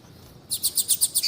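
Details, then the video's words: Female double-collared seedeater calling to stir a male into song. After a short silence comes a run of seven high, evenly spaced chirps, each about a tenth of a second apart. "FÊMEA DE COLEIRO CHAMANDO PARA ESQUENTAR COLEIRO TUI TUI"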